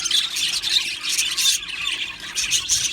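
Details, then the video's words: Budgerigar colony in an aviary, rapid squeaky chirps and short scratchy squawks from several birds in bursts, with a short lull near the middle. "Australian parrot Chirping Sounds | Australian Budgies Parrot Singing Video"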